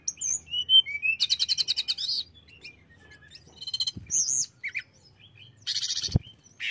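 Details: Hill blue flycatcher song meant to make other birds of its kind aggressive: high whistled notes, rapid buzzy trills and rattling bursts alternate with sharp rising and falling slurs.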